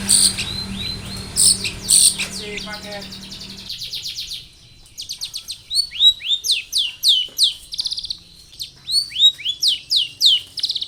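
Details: Long-tailed shrike in full, varied song, used as a lure to prompt other shrikes to sing: sharp downslurred whistles and rapid chattering trills, with a low hum under the first few seconds.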